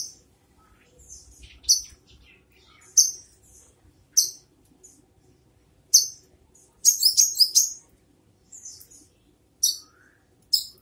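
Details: Brown-throated sunbird, locally called kolibri kelapa, giving sharp, very high chirps spaced roughly every one to one and a half seconds, broken by a quick twittering burst of rapid notes midway; faint low rumble briefly at the start.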